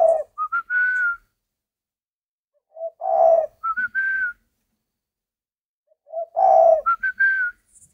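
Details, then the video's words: Spotted dove song: three phrases about three seconds apart, each a low coo followed by short clipped notes and a higher drawn-out whistled note, in a quiet room. "chim cu gáy hay ấp"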